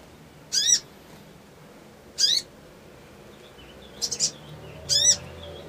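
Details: Crimson sunbird song meant to provoke and quicken a response: loud, harsh, slurred chip notes spaced more than a second apart, with a softer, choppy trio of notes before the last one.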